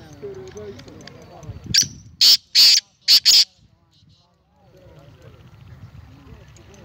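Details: Black francolin (kala teetar) recorded 19 April 2020, giving a loud, harsh, ratcheting call: a sharp opening note, two longer grating bursts and a quick final pair, framed by quieter background chatter.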